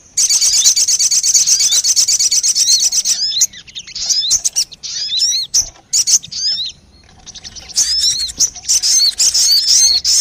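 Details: Crested jay call, played as a lure to attract birds: a dense, high, buzzy rattle runs for three seconds, then comes broken, hooked chirps, then the rapid rattle again near the end.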